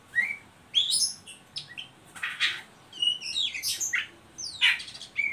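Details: Oriental magpie-robin ngeriwik calling, used as a lure to get young birds singing: sharp high chips and scratchy bursts, some short whistled slurs, spaced irregularly with gaps between.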